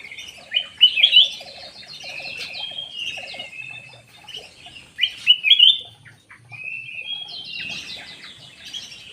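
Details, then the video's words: Black-naped oriole lure call: two bursts of loud, sharp, sweeping chirps and rapid twittering, with a steady lower pulsed chatter and other birds' chirps running throughout. "SUARA PANCINGAN KUTILANG EMAS ISTIMEWAH"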